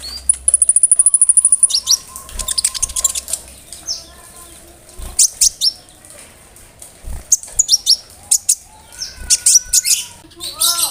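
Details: Konin bird delivering imitations of cricket, brem and other birds for tutoring songbirds: opens with a steady, very high cricket-like trill, then scattered sharp chips and whistled notes.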